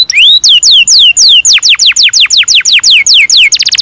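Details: Loud, clear canary singing used to teach young canaries to sing: a string of falling whistled slurs repeated rapidly, finishing with a quick, tight trill.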